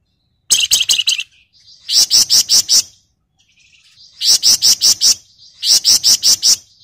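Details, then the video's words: Flamboyan bird in the lively, dense ngebren style, used to lure and tutor other birds: four bursts of rapid, high, sharp chattering notes, each about half a second long, with soft scratchy twitter between bursts. "Pancingan dan Masteran Burung Flamboyan Gacor Ngebren Rapat Nyerecet"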